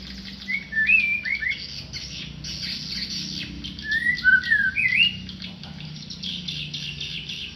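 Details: A tame white-rumped shama gives harsh, slurred phrases: rising-and-falling notes early on, then a cluster of swooping, scratchy whistles midway, set over a continuous high hiss and low rumble.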